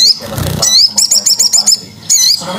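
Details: Crested jay lure call used to attract other birds: sharp rising whistles, then a fast run of about eight clipped, ringing notes and more rising whistles, with a brief low background sound near the start.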